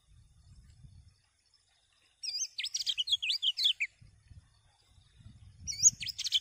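A common iora sings a quick, high burst of twisting, warbled whistles for about two seconds, then starts again after a pause, over a faint low rumble.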